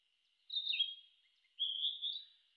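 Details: Narcissus flycatcher giving two quick, high whistled phrases about a second apart. The first has a short dip in pitch and the second is a smooth, slightly rising warble, in near silence.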